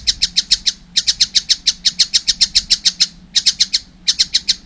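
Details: Young collared kingfisher giving rapid bursts of harsh, high, clipped kek notes, about seven per second, in runs broken by short pauses, over a faint low hum.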